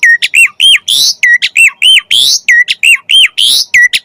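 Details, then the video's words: Jalak suren (Asian pied starling) song rich in 'isian', used to prompt starlings to sing: a brisk, regular loop of bright arching whistles alternating with harsh noisy squawks, about three notes per second. "Jalak Suren Gacor Full Isian Pancingan Burung Jalak Agar Cepat Gacor"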